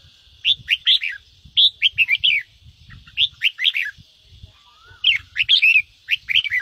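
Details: Red-whiskered bulbul pouring out quick rolling phrases of bright warbled notes in three or four bursts, a stimulation song for pet birds; a low rumbling hum sits beneath and one soft whistle glides up.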